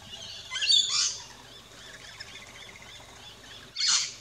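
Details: At an Australian backyard feeding station, rainbow lorikeets give two separate grating screeches, one early and one near the end, with faint chatter in between.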